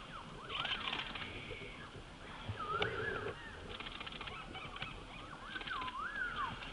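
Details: Orange bullfinch (Pyrrhula aurantiaca) in Kashmir giving soft, slurred whistles that rise and fall, several in a loose series, with scratchy rustling bursts and faint background noise.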